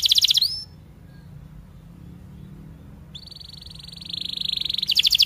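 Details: Canary singing a training song for young birds: a brief trill with a rising sweep, a pause, then a long even buzzy tone ending in a bright rapid trill.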